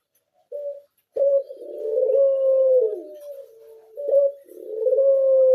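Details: Pied (blorok) Barbary dove, a captive bird kept for sale, giving a short clipped note, then a long low wavering coo that slides down at the end, followed by another short note and a second drawn-out coo.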